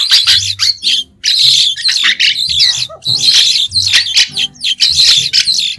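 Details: White-shouldered starling singing without background noise: dense bursts of harsh, squeaky chattering notes concentrated high, in rapid phrases separated by brief pauses over nearly six seconds.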